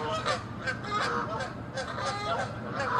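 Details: Canada geese fighting and chasing each other, angry and territorial, near water; loud overlapping nasal honks come in rapid bursts, several birds calling at once with harsh, stacked harmonic tones throughout.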